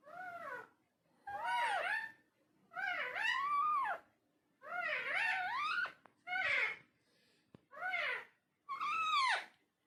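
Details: Pet parrot talking indoors: seven drawn-out, nasal, wavering utterances, each rising then falling in pitch, separated by pauses of about half a second, with a quiet background hum.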